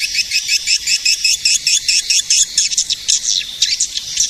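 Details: Edible-nest swiftlet calls used to attract swiftlets: a fast, evenly spaced series of high chirps, about five each second, becoming less regular and blurring into twitters toward the end.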